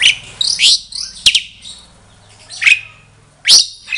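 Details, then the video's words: Caged mated pair of Asian pied starlings at a home breeding setup, giving a few loud squawky whistled notes and a sharp click separated by short pauses, with a faint low hum behind. "Jalak Suren Gacor Genit Bernyanyi. Tanda Burung Jodoh."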